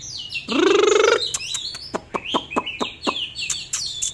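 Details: Oriental magpie-robin singing during a dancing display, opening with a loud harsh buzzy rasp, then a rapid string of sharp, clicking, downslurred notes and high whistled fragments.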